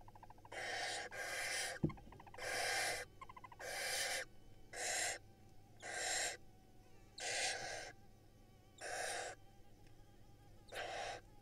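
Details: Barn owl nestlings on an Israel nest camera, lined up and being fed by their mother; harsh, hissing broadband screeches repeat roughly once a second in long bursts, with a brief sharp click near the start.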